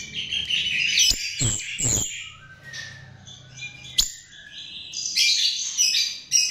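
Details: Chestnut-tailed starling singing as a lure, with dense scratchy high warbling, a few sharp clicks, and a soft descending whistle in the middle.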